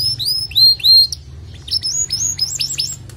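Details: Male canary singing to spur a female's nest building: loud curving whistled notes, then quick rising chirps in pairs, over a low steady hum.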